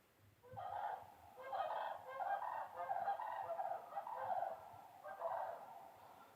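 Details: Sandhill cranes that had landed in a meadow give loud, rolling, rattling bugles in five or six overlapping bursts, rough and mid-pitched, as they take off.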